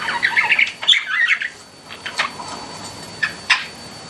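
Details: Pet budgies chirping: a fast scratchy warble at first, then a few isolated sharp chirps spaced apart.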